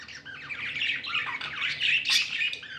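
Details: Happy budgies kept as pets chatter steadily, raspy warbling notes running together with a few squeaky high peaks near the end.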